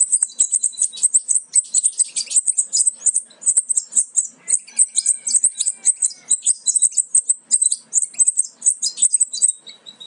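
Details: European goldfinch fledglings almost ready to leave the nest, from a Major aminet carrier paired with an ancestral Parva; continuous rapid high-pitched chirping from several young, dense and excited, with short twittering phrases mixed in.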